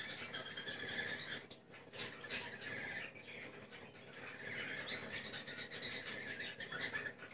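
Cockatiel chatter: scratchy, high chirps and squeaky screeches in uneven bursts, over a steady aviary hiss with other bird voices mixed in.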